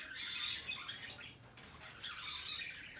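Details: Two loud, harsh, shrill squawking bursts from hand-tame peach-faced lovebirds, one at the start and one near the end, with softer chatter between, recorded 21 March 2020.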